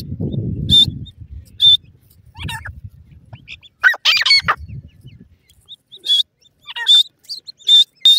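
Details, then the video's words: Grey francolin calls, a female teetar with chicks fighting: a low rumbling burst first, then scattered sharp high squeaky notes and falling slurs, ending with a rapid run of shrill notes repeated under a second apart. "Teetar Chick Fights,and Female Francolin Bird voice"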